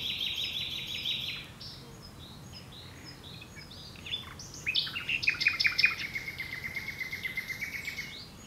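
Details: Common nightingale song opening with a harsh buzzy phrase, then a pause and a long rich run of rapid repeated notes, some sweeping, some clicking, with quiet low background hum.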